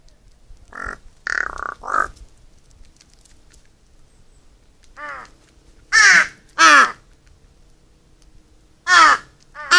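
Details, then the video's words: Crows feeding together, gathered and dancing at mealtime: a few short muffled caws early, then loud harsh rasping caws in pairs and singles, with a low background hum between calls. "까마귀 식사 시간의 즐거움"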